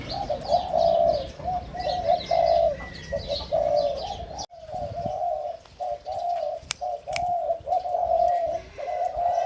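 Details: Young caged Spotted Doves of the hybrid 'sai din' line, a little over five months old from the first clutch, in an excited phase and starting to sing: repeated low, hoarse coo phrases in steady runs, with high bird chirps behind.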